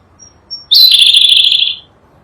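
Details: Sunda blue robin, endemic to Java and Sumatra, used as tutor song for cage birds: soft high pips lead into one bright warbled whistle, about a second long, trilling and slowly sliding lower before stopping cleanly.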